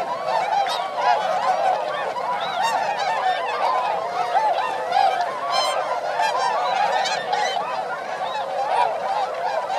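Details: Wintering swans, among 905 counted at the Motono rice fields of Inzai, Chiba, Japan, December 2014, calling in flight; a continuous chorus of loud, nasal, overlapping honks from many birds throughout.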